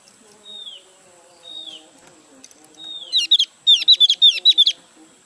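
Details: Caged Javan white-eye, newly bought and not yet singing fully, giving a few thin descending whistles, then a fast run of sharp high chirping notes in the last two seconds; faint low background murmur.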